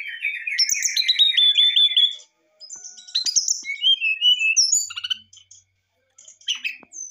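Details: Brown-chested jungle flycatcher, a songbird kept to prompt a lazy bird into singing, delivering a varied fluting song: a run of rapid high warbled notes, then whistled descending slurs and sharp chips with short pauses between phrases.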